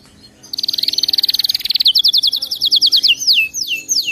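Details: Canary singing for song training: a fast trill of rapid high notes for over a second, then a run of quick downward-sweeping whistles, ending in slower, longer descending slurs.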